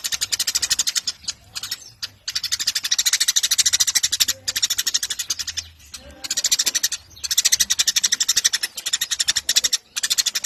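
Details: Eurasian tree sparrow in full voice: bursts of quick, harsh, high chirping chatter in long runs, separated by several short gaps.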